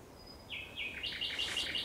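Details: Thrush nightingale at sunset on 30 May 2021 singing a thin whistle that drops into a loud rapid series of repeated clicking notes.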